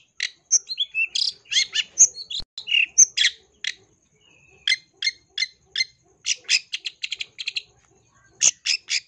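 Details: Long-tailed shrike in rich, full fill-in song meant to spur other shrikes into singing: a quick medley of harsh chips and whistles, a short pause, then fast, evenly spaced rattling notes and a closing burst.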